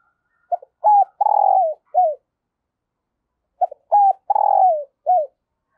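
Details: Spotted dove used as a decoy, calling in thúc and gáy styles to draw in new wild birds. Two clear, identical phrases are separated by a pause. Each has two short hoots, a long throaty coo and a dropping final note.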